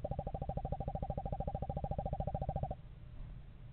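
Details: Eastern screech owl of a pair house shopping in a November yard: one long, monotone, fast-pulsed trill lasting nearly three seconds, then stopping abruptly, leaving quiet low background noise.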